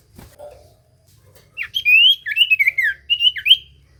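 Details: Lure song of a common iora, used to get other ioras to reply: after a quiet start comes a quick chain of clear whistled slurs, each bending down then up.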